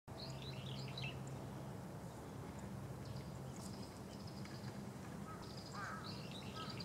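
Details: A female pale thrush in the Hachioji suburbs, 30 January 2013, gives thin, high chirping calls in short bursts near the start and again near the end, over a steady low rumbling background hum.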